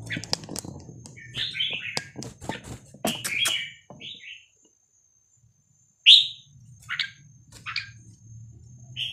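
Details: Red-whiskered bulbul of Vietnamese type, 3-4-5-6-7 song style, used to tutor young birds and rouse birds; short warbled notes and one loud slurred phrase broken by a silent pause, mixed with many sharp clicks and taps.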